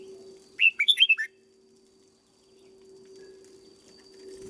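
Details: Trained caged red-whiskered bulbul, a decoy bird brought into fighting fettle, sings a single rapid burst of five or six loud, sweet, slurred whistles, then falls silent while a constant low drone continues.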